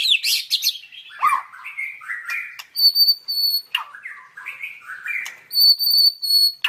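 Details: White-rumped shama in a training song recording delivering a varied song: a burst of fast twittering, then fluting whistled phrases alternating with pure high sustained tones, repeated twice.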